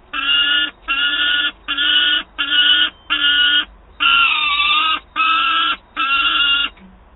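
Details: Hungry peregrine falcon chick at Wałbrzych on 9 August 2022 pleading with its mother for prey: eight rasping, nasal wails in a steady series, one wavering and dipping in pitch midway, then a faint low note.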